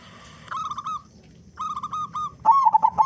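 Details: Local zebra dove with a loud voice, used to lure other doves into singing: three quick cooing phrases, two even rolling trills, then a louder, choppy stuttered coo.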